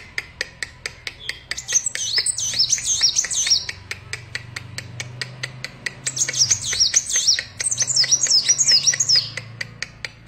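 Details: Sunbird song in two long runs of rapid, high, zigzagging twitters, with steady sharp ticking clicks throughout and a low rumbling hum beneath.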